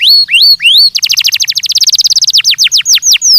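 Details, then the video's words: Belgian canary song made for training: three rising whistled notes, then a rapid trill of downswept notes that slows into separate, wider downslurred whistles. "ESPETACULAR canário belga,,! 30 MINUTOS DE TREINAMENTO DE BELGIUM CANARY VOCÊ VAI CANTAR MUITO"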